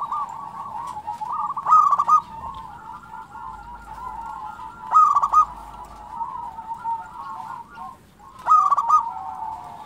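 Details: Local zebra dove (perkutut gacor) giving repeated song phrases: three loud, rapid, stuttered coo bursts about three and a half seconds apart, joined by continuous softer, wavering cooing between them.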